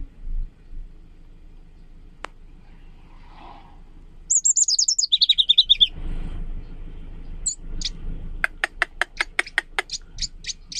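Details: A leaf warbler delivers bright, brook-like song: a rapid high trill dropping into a lower slurred run, followed by a series of sharp, evenly spaced clicking ticks near the end.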